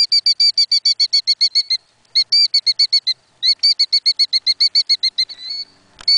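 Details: A mother killdeer defending her nest, wings flaring, gives very loud rapid, shrill, piping alarm notes in long excited bursts, several per second, with brief pauses between volleys; nothing else is heard.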